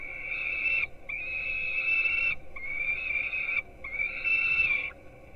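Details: Peregrine falcon chicks, nest webcam in Gdynia, Poland, 4:21 am, receiving breakfast: four long, loud, evenly held whining screams, each over a second, separated by short breaks.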